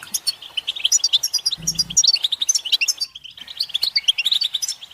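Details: European goldfinch group chatter, mating and readiness calls played to get a silent male singing; rapid overlapping tinkling twitters, a brief low hum early on and a short gap near the middle.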